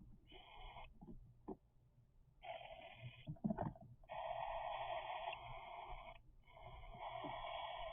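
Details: Three-week-old cockatiel chicks begging with harsh, raspy, buzzing calls in long bursts of one to two seconds, about five bursts separated by short pauses, with faint low rumbling underneath.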